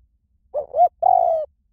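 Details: A single 'small voice' spotted dove song phrase for luring doves and training them to coo back: two short rising coos followed by a sustained, gently descending coo, clean and close.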